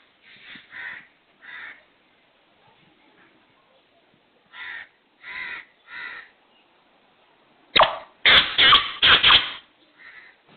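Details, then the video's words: Black francolin, known as kala teetar, calling: harsh, grating notes in short broken groups, then a loud burst of several rasping notes close together near the end, with a brief spoken phrase just after. "KALA TEETAR | BLACK FRANCOLIN | TETAR VOICE"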